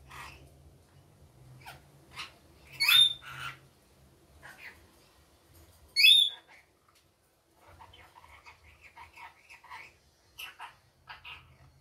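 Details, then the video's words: Pet rainbow lorikeet during the day giving two loud, piercing screeches a few seconds apart, between scattered short chips and a soft burbling chatter; faint background hum. "Rainbow Lorikeet daytime"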